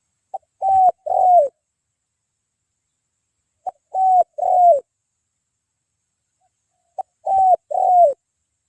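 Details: Spotted dove (tekukur) cooing at an afternoon dove-luring (mikat) site, its voice described as bongor penguku: three phrases about every three seconds, each a short clipped note followed by two round, falling coos, in otherwise quiet surroundings.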